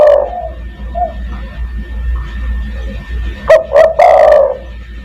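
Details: Spotted dove calling to attract other doves: faint coos, then a loud burst of two short notes and a long hoarse rolling coo at the end, with distortion.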